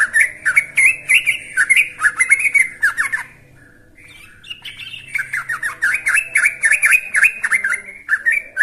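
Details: A young Yellow-vented Bulbul, used as a lure call, gives rapid, bubbly chattering phrases in bursts, about three notes a second, pausing briefly midway before resuming.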